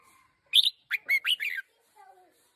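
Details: Red-whiskered bulbul decoy bird, one year old, utters a loud squeaky note then a rapid string of chattering chirps, with soft lower notes trailing after.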